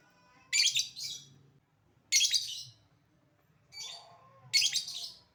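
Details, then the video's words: Lovebird calling to draw responses from other lovebirds: harsh, raspy high squawks in four separate bursts roughly every one and a half seconds, with short gaps of quiet between them. "Burung Lovebird Memanggil Di sertai Ngekek, Di Awali ngetik lanjut ngekek"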